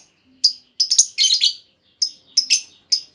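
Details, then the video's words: Female lovebird giving a lure call so other lovebirds reply with long trilling; shrill, buzzy chirps in quick succession, a longer raspy note midway, then spaced squeaks. "Pancingan Burung Lovebird Betina! Bakal Langsung Respon Lovebird Segala Kondisi Auto Ngekek Panjang"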